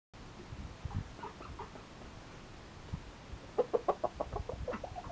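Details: A Yamato Gunkei chicken, during its usual daily routine, gives a few soft clucks, then a quick run of about a dozen short, throaty clucks over a low background rumble.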